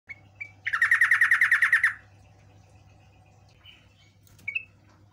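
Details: Yellow-vented bulbul lure song used to make other birds answer: a fast, even rattle of about twelve bright notes, with short whistled chirps before and after it.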